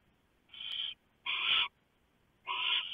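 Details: Barn owl family at the nest at 3:59 AM on 3 November 2015, as the male delivers a huge mouse and the female shreds it for the owlets. Three harsh, hissing screech bursts, each about half a second long, separated by short silences.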